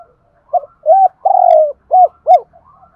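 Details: Spotted dove used as a lure, calling each day: a short series of mellow hooting coos, one long sustained note flanked by shorter arched ones, with a couple of faint high clicks.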